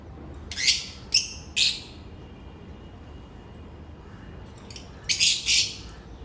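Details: African lovebirds going about their daily routine: three piercing chirps in quick succession, a quiet gap, then a burst of two or three harsh, shrill squawks.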